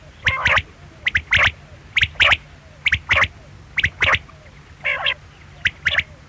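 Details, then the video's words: Loud, sharp quail notes come in clusters of two or three at a steady pace of roughly one group per second, with one harsher buzzy call midway; faint low hum in the background. "Quail sound|Batair ki awaz|bedana ovozi|бөдөнө үнү|перепелиный звук|بٹیر کی آواز"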